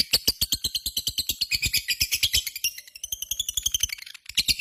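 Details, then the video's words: Lovebird in full-song condition, kept as a pet, in long ngekek chatter: rapid, rattling shrill notes in a continuous run, briefly thinning near the end before resuming. "SUARA BURUNG LOVEBIRD GACOR,Jago Ngekek Bikin Lovebird Apapun Langsung Ikutan Nyaut Ngekek Koekk"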